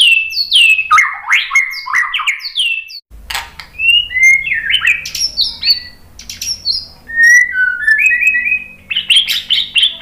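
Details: Provocation song of a white-rumped shama to set other birds singing: rich whistled and buzzy phrases, rapid runs, varied rising notes, with a low hum in the background after a short break.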